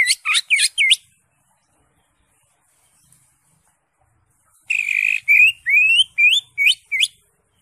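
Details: Greater green leafbird (cucak hijau) singing steadily with raised crest, its song crowded with fill-in phrases, used to tutor birds. A rapid cluster of four sharp upswept notes, silence, then a harsh buzz and a run of loud, rising whistled notes.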